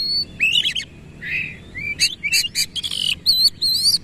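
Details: Kacer, or Oriental magpie-robin, singing 'gacor' with its tail opened and coarse 'isian kasar' fills. Buzzy rasping notes alternate with sharp rising whistles and wavering high trills, delivered in short rapid phrases.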